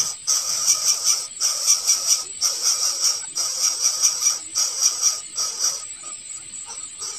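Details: A coucal parent feeds its chicks at the nest: airy, high hissing bursts roughly once a second, steady and breathy, broken by short pauses, with no other clear sounds.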